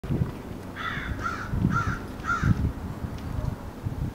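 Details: Crows recorded on September 9, 2014, giving four harsh, evenly spaced caws in a row over about two seconds, with low rumbling background noise and thumps throughout.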